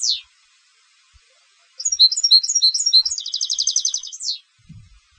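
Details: Song of a competition European goldfinch: one falling note, a pause, then a sequence of lively chirps leading into a rolling buzzy trill and a sharp descending finish, followed by a faint low thump.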